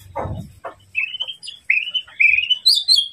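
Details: White-rumped shama song from an Indonesian training recording meant to provoke a rival: a brief low rustle, then a run of clear whistled notes, slurred and rising toward a high, sweet finish.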